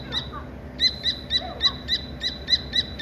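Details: Dakni teetar partridge chick calling with crisp, clipped high chirps spaced roughly a quarter second apart, evenly paced after a short pause, with a steady high-pitched hum underneath.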